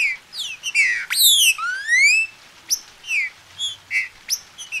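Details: Green-winged saltator bred in captivity in Brazil, recorded for warming up other birds to sing. Strong clear whistles, a long rising slur among falling ones, followed by short spaced whistled notes.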